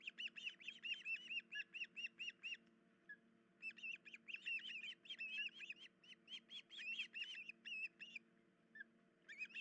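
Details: Osprey pair disturbed at a nest with chicks, the female injured, July 2019; long volleys of piercing whistled chirps in quick succession, a pause, then a denser, more excited run and a final burst, over soft hum.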